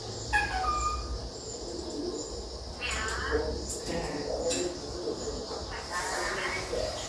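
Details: A talking pet African grey parrot gives a few short whistled notes and speech-like chatter over a steady indoor background hum.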